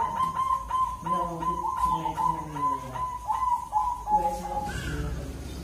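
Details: Zebra dove of a local Indonesian strain (perkutut lokal) singing: a quick run of short, clipped cooing notes with a steady pulsing rhythm, about ten notes in five seconds, ending in a slightly longer note, with faint background noise.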